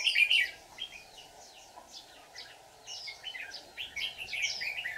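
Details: White-cheeked red-whiskered bulbul at a trap on 24 July 2019: a loud opening burst of rich whistles, then softer rising and falling notes trailing off, over a persistent hum.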